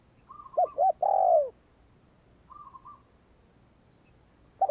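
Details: A decoy spotted dove, used to lure wild doves, gives short hollow coos followed by a longer, drawn-out falling coo.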